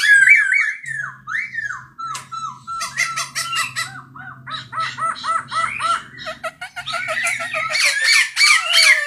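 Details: Masked laughingthrush singing: a varied run of loud whistled slurs, rising and falling notes, then rapid repeated chattering and clicking phrases with harsh bursts, busy and jumbled throughout, over a low faint humming tone.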